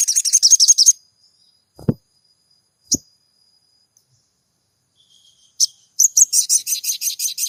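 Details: Crimson Sunbird (sogon), a lively singer used as a lure to stir up silent caged birds: a second of rapid, very high buzzy trill notes, a pause with two dull knocks, then the fast high trill returns, over a thin steady whine.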